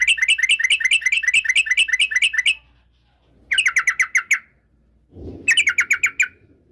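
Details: A yellow-vented bulbul sings to provoke rivals: a long, even run of about fifteen quick, buzzy chirps, then two shorter runs after pauses. A soft low thud comes between them.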